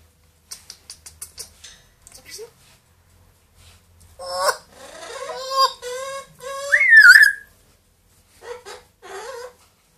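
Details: Pet parrots kept indoors, a two-year-old grey parrot and a one-year-old Amazon, talking and imitating sounds: quick clicks and ticks, then harmonic speech-like squawks and a loud rising-falling whistle, followed by two short nasal calls.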